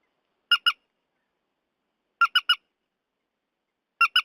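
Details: Purple swamphen (trích ré), a recording used as a lure for night netting: short nasal harmonic squawks in quick pairs and triplets, bursts separated by long silent gaps, no other sounds.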